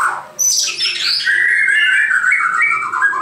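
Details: Short white-crowned shama burst: a high descending whistle sweep followed by a sustained, slightly wavering whistled note with a low hum behind.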